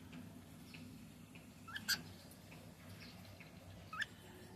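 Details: Male cockatiel uttering a sharp, loud chirp, then a second rising chirp about two seconds later, with faint softer notes between them and a low steady hum underneath.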